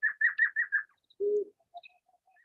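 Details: Whiskered Screech-owl, a small forest owl of the Chiricahuas, Arizona, heard at night, gives five quick, evenly spaced hoots, then a single low, hollow whoop, with faint soft tones trailing after.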